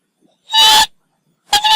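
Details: A Northern lapwing incubating four eggs on a ground nest, disturbed by a nearby Hooded Crow, gives two loud, wheezy, nasal alarm calls about a second apart. The second call is shorter and breaks in the middle. Nothing else is heard.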